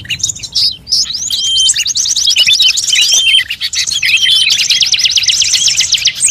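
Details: Mixed-species bird calls for luring birds: tight, rapid trills and chattering twitters at high pitch, nearly continuous, with a short gap before a long final run of quick repeated notes.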